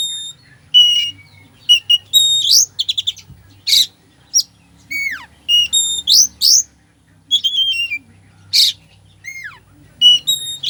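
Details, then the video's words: Oriental magpie-robin delivering a varied, mimicry-rich song to arouse lethargic birds: continuous mix of pure whistles, downward-swooping notes, trilled clusters and raspy bursts, lively and almost unbroken throughout. "Kacer full isian , cocok buat pancingan emosi Kacer lemot"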